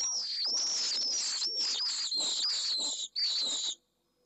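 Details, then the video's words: Pallid swift male in a nest box at Jerez de la Frontera, Spain, fighting off an intruder after the first egg was laid; a near-continuous shrill, trilling scream lasting over three seconds, then silence. "¡DEFENSA CONTRA UN INTRUSO! - Vencejo pálido"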